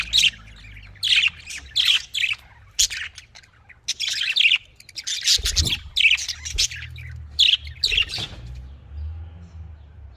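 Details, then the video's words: Australian parrots, or budgerigars, kept caged for breeding: repeated scratchy chirps in short bursts about every half second to second, with a brief thump of movement midway. "Australian parrot voice|Australian parrot ki awaz"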